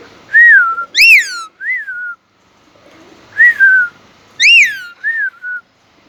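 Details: Pet Indian ringneck parakeet talking, with speech said to be Urdu or Hindi: loud, clear, tonal phrases of rising-then-falling notes, some rich in overtones, given in two bursts about three seconds apart over a quiet indoor background.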